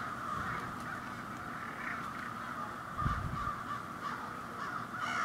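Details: Morning noise from a seasonal crow roost in tall city trees in Ontario, Canada: a dense chorus of hoarse overlapping caws, with a low thump near the middle and louder calls at the end.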